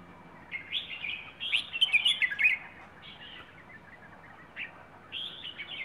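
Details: Wild bird kept in Rayong, Thailand, singing a phrase style called plai ho: bursts of high chirpy, warbling notes around mid-clip, with fainter twittering phrases before and after over a quiet background.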